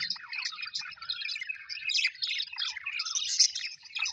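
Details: Happy pet Australian budgies chatter continuously, a mix of warbled chirps, quick rising and falling notes and occasional squawky bursts, several birds at once.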